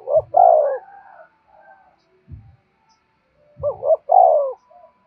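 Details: Spotted dove cooing as a lure for other doves: two phrases, each a short hoot pair and a sustained, descending mellow coo, separated by low dull thumps.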